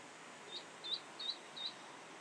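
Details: Eastern spot-billed duck (Anas zonorhyncha) duckling in tributary bushes gives a special distress call usually used in emergencies, cause unknown: four thin, high, rising peeps about every third of a second over soft outdoor hiss.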